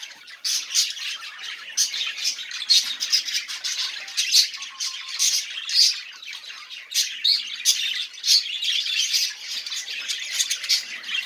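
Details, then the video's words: Budgerigars singing, meant to prompt quiet birds to start: a steady stream of clicks, rasps and short chirps with occasional clear whistled notes, several birds chattering together. "muhabbet kuş sesi ötmeyen muhabbet kalmasın"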